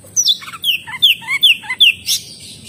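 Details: Oriental magpie-robin song: a quick run of clear, descending whistled slurs, about five in under two seconds, with softer lower notes between them.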